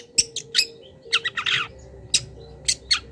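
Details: Long-tailed shrike kept for training cage birds, singing a mimicry-rich master song: scattered harsh broadband notes and short chattering bursts with gaps between, over a steady low hum.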